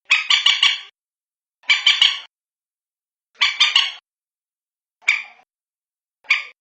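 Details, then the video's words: Common moorhen heard through a nighttime luring recording: three rasping clucked phrases of three or four notes, then two single hoarse notes, repeated roughly every one and a half seconds. "Suara Terbaru Panggil Burung Bantiung 06 (common morhen)"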